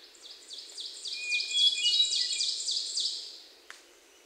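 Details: Hermit thrush singing in Sudbury, Massachusetts on June 29, 2023, Sony PCM D50 recording; a steady low whistle under a fast, repeated trill of high ringing notes, swelling then fading, ending with a brief click.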